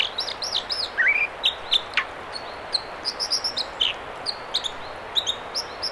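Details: An American dipper sings in the Mamquam River spawning channels near Squamish, British Columbia: a quick, varied string of high, sharp chirps, whistled slurs and buzzy notes over the steady rush of flowing water.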